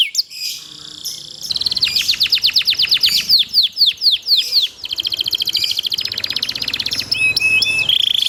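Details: Canary master song in the 'cuit cuit ceer' style for training other canaries: a soft start, then loud swept 'cuit' notes, dense buzzy trills and short whistled tones at the close.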